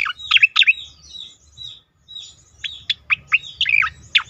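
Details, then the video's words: Leafbird singing as a lure to prompt other birds to join in: bursts of varied high chirps and slurred, warbling whistles, a short silence midway, then more emphatic downward-sweeping notes and twittering, with faint low rumble. "cicakoreng lain ngikut bunyi"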